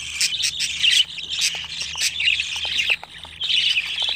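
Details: Twenty-five-day-old budgerigar young squawk and chatter harshly in bursts, with sudden drops into near quiet between phrases.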